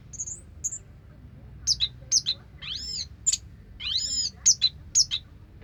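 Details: Orange-headed thrush (anis merah) in 'sampai teler' song: high squeaky notes, paired downslurred chips and arched whistled sweeps, repeated at irregular intervals, with a faint low rumble throughout.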